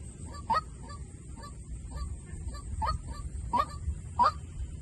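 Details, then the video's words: A white-breasted waterhen decoy call starts faint and grows louder: soft, muffled honks give way to clearer, upslurred notes near the end, over a noticeable low rumble. "tiếng chim quốc mồi"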